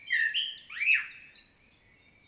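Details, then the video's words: Field recording from Świnoujście, Poland, 25 September 2022, of a common blackbird's solo: two rich, flute-like whistled notes followed by a swooping warble and a soft, high, scratchy trailing twitter. "Blackbird's solo"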